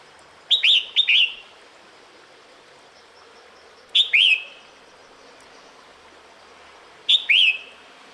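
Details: Female red-whiskered bulbul calling the male during the breeding season: three bursts of two or three bright, slurred whistled notes, each falling and then rising, spaced about three seconds apart over a steady background hiss.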